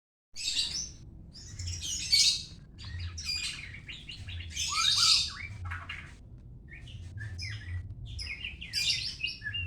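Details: White-rumped shama from Medan, singing a rich, varied song of high, sharp whistled phrases and chirps, loud bursts around two and five seconds, with a steady low hum underneath.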